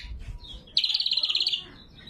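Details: Lesser green leafbird song recorded clean for luring and training: after a faint soft note comes a bright, fast rattling trill lasting about three-quarters of a second.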